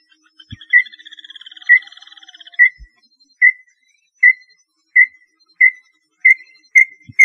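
Small-billed tinamou giving a series of short, piping whistles on one pitch that come steadily faster, over a faint high buzzing trill at the start.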